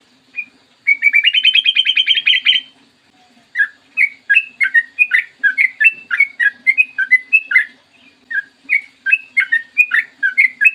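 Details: Sooty-headed bulbul singing a gacor song with long ropel, used as a lure to make other bulbuls sing, recorded in the morning. A rapid rising trill of stacked notes opens, followed by bubbly, slurred whistled phrases repeated in quick succession.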